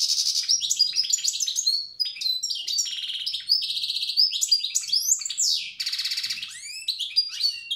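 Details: Continuous old-style song of a wild European goldfinch from Tiaret: loud, unbroken cascades of rapid twittering, ringing whistles, sweeping slurred notes and buzzy trills throughout.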